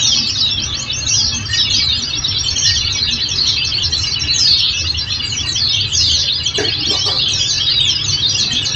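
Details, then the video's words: High, rapid, scratchy twittering of Oriental white-eye, meant as a training recording to get caged birds singing back, flowing without pause, with faint clicks near the end and a background hum. "Masteran||Terapi Kicau Pleci||Tiga menit langsung Nyahut"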